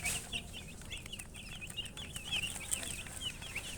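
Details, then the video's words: Baby chicks chirping in a faint continuous chorus of high wavering peeps, over a noisy low background with a few clicks. "Baby "Chicks Chirping" Sound"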